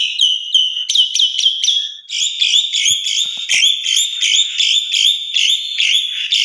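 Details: Asian pied starling, a fast-breaking trigger recording to stir caged birds into song: several sharp repeated notes, then a steady stream of loud, harsh, ringing metallic phrases.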